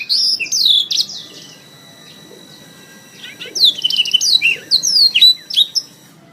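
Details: Canary song from a tutor recording for training pet canaries: rapid high warbled trills and sliding whistled notes, a quieter pause near the middle, then another dense burst of rising and falling phrases.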